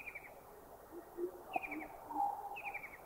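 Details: White-throated kingfisher recorded in Thailand: short, high, chattering trills that drop in pitch, heard three times about a second apart. Faint lower hoots and whistles from other birds fill the background.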